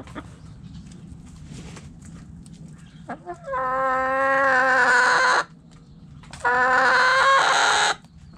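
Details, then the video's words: A rooster in a backyard coop crows twice, each crow a long loud harmonic call of about two seconds with a wavering pitch, separated by a brief pause, with soft hen clucking before. "Hens Clucking Roosters Crowing!"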